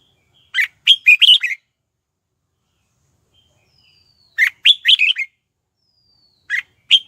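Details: Red-whiskered bulbul lure bird singing to draw wild bulbuls in to fight: short phrases of five or six clear whistled notes that rise and fall, repeated about every four seconds with silence between, and a clipped start of a third phrase.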